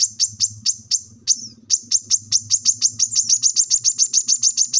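Plain-throated sunbird giving a rapid series of high, sharp chirps that speed into a steady twittering run, about two to three notes a second, with a faint low hum beneath.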